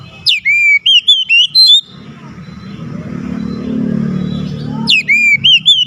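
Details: Oriental magpie-robin song to provoke a lazy magpie-robin: a burst of sweeping whistles, then a passing vehicle's rising rumble, then the whistled phrase returns.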